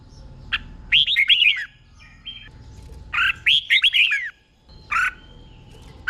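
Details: Red-whiskered bulbul tutor song in the doubled 'boen' style for caged birds: two warbled phrases of rolling whistles, a few seconds apart, separated and followed by single short chirps.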